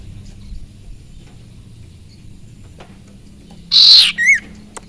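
After a quiet stretch, a sirpu gives a brief burst: a harsh, high rushing note and then a short, clear whistle that rises and falls.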